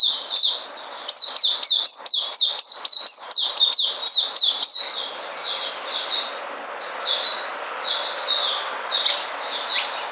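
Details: White-eye recorded 13 February 2020, described as regaining its energy, pours out a quick run of sharp, high, falling notes for about five seconds. This is followed by slower, softer, slurred high warbling.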